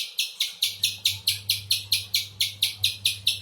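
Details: Spectacled spiderhunter call: evenly spaced, harsh, high chips, about two per second throughout, with a steady low hum in the background.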